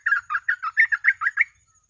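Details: Trucuk, the sooty-headed bulbul, in a short 'gacor ropel' burst meant as a lure tutor: about nine rapid, rounded warbled notes run together, then stopping abruptly, against a quiet background.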